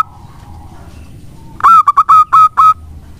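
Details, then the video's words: Zebra dove of a local strain in full song, played to stimulate other birds: after a quiet start, one short loud burst of six rapid, buzzy cooing notes, then the recording falls quiet again. "Perkutut lokal gacor untuk pancingan sangat bagus."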